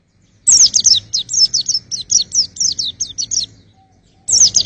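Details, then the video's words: White-eye song for testing birds' voices: a long, fast string of sharp, high twittering notes, about a dozen evenly spaced chirps, then a brief pause and the start of another shrill phrase. "pleci buat ngetes vokal"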